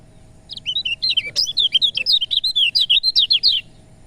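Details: Lemon-bellied white-eye singing, a recording used to get sluggish birds to sing: after a half-second pause, a fast string of bright, high chirps and slurred whistles runs steadily for about three seconds, then stops.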